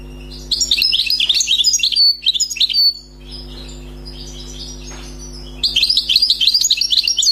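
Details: European goldfinch, a freshly wild-caught bird, sings flawless song: a two-second rush of rapid, bubbly twittering, a quiet gap of nearly three seconds, then a fresh burst of jingling notes. Low constant hum.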